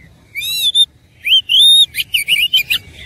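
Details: Fighting oriental magpie-robin giving bright, forceful song: a drawn-out rising whistle, then another long clear whistle, followed by a quick burst of buzzy chips and twisting notes.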